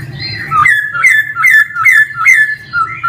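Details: Loud male laughingthrush phrases: slurred whistles falling then rising, repeated roughly every 0.4 seconds in an even rhythm, faint hum in background.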